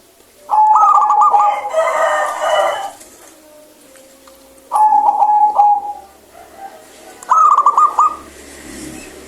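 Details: Zebra dove of local stock, noted for a clear voice, delivering three trilled cooing phrases spaced several seconds apart. A louder, rougher burst follows the first phrase, and faint background noise is present throughout.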